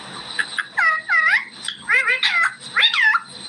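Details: A pet talking rose-ringed (ringneck) parakeet speaks in a run of quick, nasal, speech-like syllables, sliding up and down in pitch over a soft background hiss.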